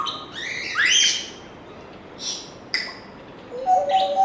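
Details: African grey parrot giving a rich, rising whistle with strong overtones, a few isolated sharp clicks, then a steady pair of low whistled tones at the close.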